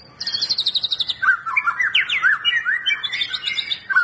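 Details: White-rumped shama song for getting a quiet bird to sing: opens with a fast high trill of repeated notes, then loud varied whistled warbling phrases sweeping up and down.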